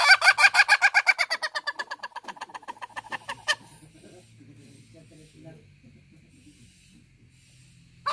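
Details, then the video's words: Laughing crow of an Ayam Ketawa cock, the breed from Sidenreng Rappang in South Sulawesi, Indonesia, whose crow resembles human laughter: about fifteen quick, evenly spaced cackling pulses that slow and fade over three seconds, then near silence with low murmur. "Ayam Ketawa "Laughing Rooster""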